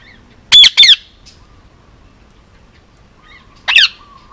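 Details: Male Indian ringneck parakeet, almost two years old, hand-raised on Oahu, Hawaii, letting out loud, harsh, grating squawks: a double burst, a pause of nearly three seconds, then one more.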